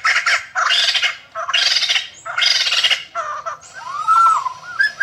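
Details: Captive White-crested laughingthrush, 2020 season, recorded to teach birds to sing: harsh noisy cackling bursts about a second apart, ending with a smooth arched whistle and scratchy notes.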